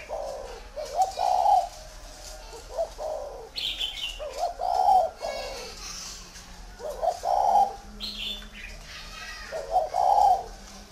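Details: Spotted dove, a large tame bird kept at a farm in Ba Vì, Vietnam, repeating gravelly coo phrases about every three seconds. Brief high twittering from other birds is mixed in.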